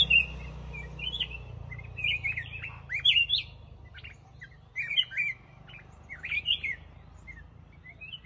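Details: Black-crested bulbul singing short, bright warbled phrases of rising and falling notes, delivered in bursts with brief pauses, over a low steady background hum.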